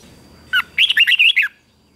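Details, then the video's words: Red-whiskered bulbul competition song for training: one short note, then a dense warbling phrase of linked bright whistles lasting under a second. "Chào mào hót đấu"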